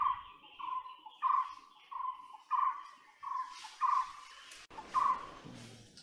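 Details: A white-bellied woodpecker repeats clear, nasal, flat notes about every 0.6 seconds, followed by a burst of broadband noise and one more call near the end.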